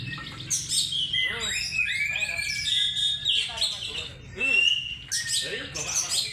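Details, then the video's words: Oriental magpie-robin kept as a lure bird, pouring out varied high whistles, downslurred notes and chattering bursts, with long clear whistled tones between the busier phrases. "burung Kacer NEW ROMEO power tembus II pancingan Kacer mewah"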